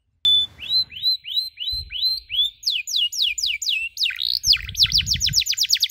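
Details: Domestic canary singing a cuit-cuit tutor song for learning youngsters: rising whistled notes repeated about twice a second, then quickening into fast downslurred chirps, with low muffled knocks behind.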